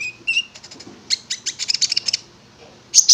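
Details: Prinia (konin) giving two short whistled notes, then a rapid buzzy rattle of dense high chirps, a brief pause and a final sharp double chip.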